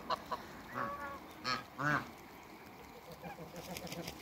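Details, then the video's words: Backyard flock of African and Toulouse geese among other waterbirds: three or four short, brassy honks in the first two seconds, then quieter scattered calls and faint clicking against a low hum. "AFRICAN & TOULOUSE GEESE AFTER THE CREATE WATERBIRDS IN THE BACKYARD"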